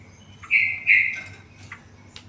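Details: Tame yellow-vented bulbul singing: two bright, sustained whistled notes close together, then a few short faint chips, over a low steady background hum.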